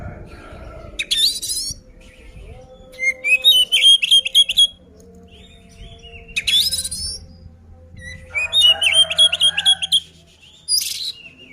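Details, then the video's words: Oriental magpie-robin fighting song used as a provocation, delivered in phrases of rapid repeated whistles mixed with harsh buzzy chatter bursts, separated by quiet pauses and a faint steady hum. "suara burung kacer gacor ngeplong tarung ini ampuh buat pancingan kacer agar emosi"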